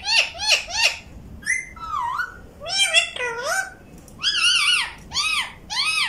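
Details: Pet ring-necked parakeets kept indoors in Vehari, Punjab, Pakistan, said to talk in Urdu; a series of harsh, rich, arched calls and speech-like warbles in quick bursts, some with gliding whistled tones, several per second, little background noise.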